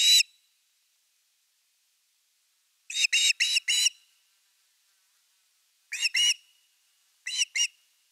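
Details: Osprey on a live-camera nest, nest #3, 30 August 2021, evening fish; scattered short bursts of two to three sharp whistled chirps separated by several seconds of silence.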